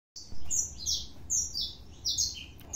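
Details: Saffron finch singing a lot: a few bright high chirped phrases in quick bursts, some sliding downward, with low background rumble beneath.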